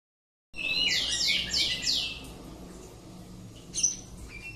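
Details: Home-kept oriental magpie-robin bursting after silence into a quick run of high, sweeping, downslurred whistles for about two seconds, then quieter scattered notes and a sharp high whistle near the end.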